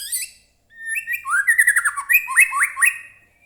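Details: Loud White-rumped shama song as a lure for captive birds: a short chip, then a continuous warble of clear whistles with several quick falling notes repeated near the end.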